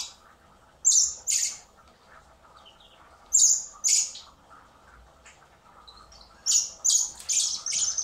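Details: Common blackbird chicks hand-fed in spring at a wildlife recovery centre before release beg with loud high squeaky calls in quick clusters, over a steady low hum from the room.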